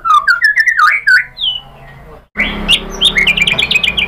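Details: Provoking lure song of a white-rumped shama: quick rising and falling whistled notes, a short pause, then a dense rapid chatter of high clipped notes over background hiss.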